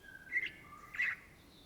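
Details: Two clear whistled notes from a greater green leafbird, known as Cucak Ijo, each a short bright burst over a faint steady tone.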